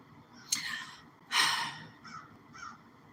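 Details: A crow, heard outside through a slightly opened window, gives two loud, harsh, raspy caws about a second apart, then two fainter, shorter ones trailing off, over a quiet background murmur.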